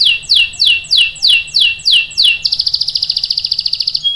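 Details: Singing canary used to provoke other canaries into long rolling song: six loud, slurred notes sweeping downward in a regular series, then a rapid, high, ringing trill held for almost two seconds, ending in a short whistle.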